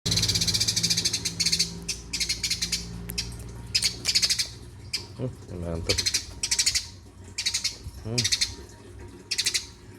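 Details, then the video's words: Eurasian tree sparrow singing lively: bursts of sharp, high, chirpy notes in quick irregular clusters, pausing briefly between runs, over a low background hum with faint low murmuring. "Burung Gereja Gacorrr"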